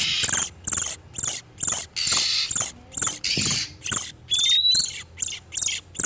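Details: Oriental magpie-robin male and female in breeding condition, used as a lure for catching wild birds: harsh, raspy high bursts repeated in short separated pulses, some longer buzzy rasps and one rising thin whistle near the end.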